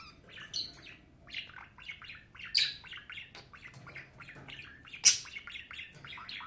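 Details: Budgerigar kept as a pet, chattering steadily: busy high-pitched twittering and warbles broken by occasional sharp squeaks, with a soft low hum behind it.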